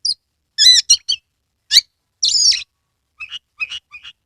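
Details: Oriental magpie-robin kept in Kebumen, Central Java, in full song with tail fanned, played to coax reluctant birds to sing: loud ringing whistled phrases and a sharp high note, then softer clipped chirps, quiet surroundings.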